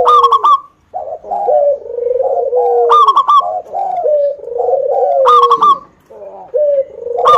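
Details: Zebra doves of a local Indonesian strain, singing as a decoy for other doves: bright coos with quick staccato tails, alternating with softer slurred notes and short pauses.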